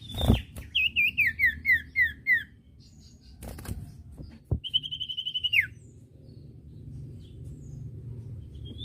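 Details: Common iora song used as a tutor recording for training young caged birds: a row of six clear whistled notes slurring downward, a pause, then a quick bright trill of about ten notes ending in a downward slide.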